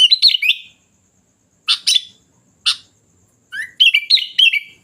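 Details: Sooty-headed bulbul song: short bursts of bright, bubbly whistled notes in clusters separated by pauses, ending with a quick warbling phrase.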